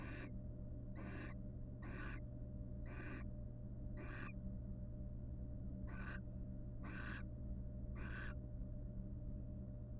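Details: Courting wild barn owls preening one another in a nest box; a series of eight broad, rasping hiss-like screeches, each under half a second, spaced about a second apart with one longer gap, steady low background hum.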